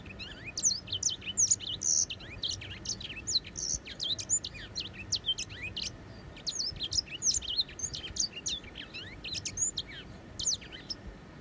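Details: Grey singing finch pouring out a lively, sustained twitter of sharp high chirps and quick downward whistles in rapid succession, against a faint constant hum.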